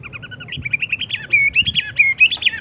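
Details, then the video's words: Horsfield's bush lark singing in the 'tung roll gantung langsung ngerol' rolling style: rapid, busy chirps and twittering notes that start soft and quicken into loud, sharp, bouncing whistled phrases. "wambie tung roll gantung langsung ngerol"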